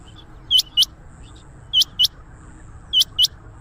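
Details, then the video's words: Rain quail (chinga batair) call used to attract quail into traps: paired high, sharp whistled notes, the two notes a quarter second apart, the doublet recurring roughly every 1.2 seconds against quiet background hiss. "Rain Quail sound 2025,Chinga batair ki awaz"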